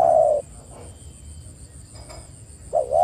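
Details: Spotted dove lure call meant to get other doves calling: a sustained coo at the start, a long hushed gap with faint hiss, then a rising, wavering coo at the end.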